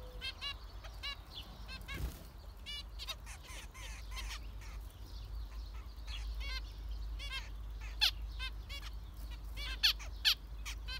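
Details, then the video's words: Several zebra finches calling busily: rapid nasal honking beeps, often overlapping, at about two per second, with a few louder sharp peaks and steady low hum behind. "Zebra finchs"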